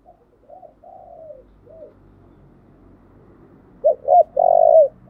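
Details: Spotted dove song for rousing and training decoy birds: faint, soft coos over low background rumble, then a loud ending of two short coos and a long rolling coo.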